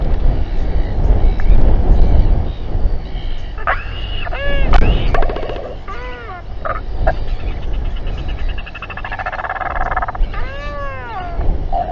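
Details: Royal albatrosses at a stressful group gathering and fight near a nest with a chick, New Zealand, 7:42 pm, 27 January 2021, live nest camera: arched, nasal harmonic cries in bursts with clattering and heavy low wind rumble.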